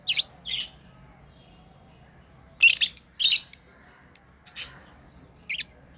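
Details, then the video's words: Playing lovebirds, pets, chirp in shrill scattered notes: a pair of calls, a silent spell, then a burst of screechy chirps and a few sharp single tweets. "Lovebirds playing & Chirping sounds"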